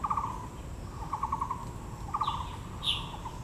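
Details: Taiwan blue magpie at Yangming Park in Yangmingshan National Park, Taipei, among azaleas: three short, dry, pulsed rattles in mid pitch, with a brief higher squeak near the end over steady background hiss.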